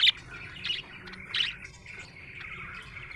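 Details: Cheerful budgerigar: three loud chirps spaced roughly half a second apart, followed by quieter running chatter.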